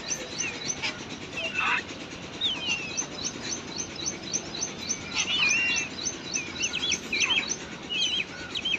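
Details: Babbler chicks in the nest, being fed by their mother in the wild, give a busy stream of thin, high squeaky chirps and short rising whistles, overlapping almost nonstop, over a soft background hiss.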